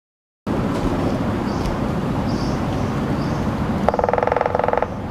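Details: A laced woodpecker drums on a Rosy Trumpet tree in late evening in Singapore: one quick, even roll of about twenty knocks lasting under a second, over a steady low rumble of traffic and helicopters.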